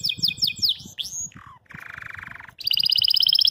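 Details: Belgian canary singing, possibly attacking a rival or courting a female, after seeing itself on a phone: varied chirps and slurred notes, a buzzy low trill, then a fast bright repeated trill.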